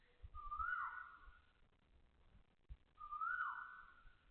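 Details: Asian koel calling loudly at 6:30 am on 20 October 2025 at Toa Payoh Lorong 8, Singapore; two rising whistled notes about two and a half seconds apart, with low traffic rumble beneath.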